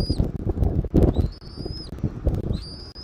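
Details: Thin, high whistled notes from an eagle at its Southwest Florida nest on a January 2024 afternoon. Three rising whistles under a second long, heavy low buffeting wind noise beneath.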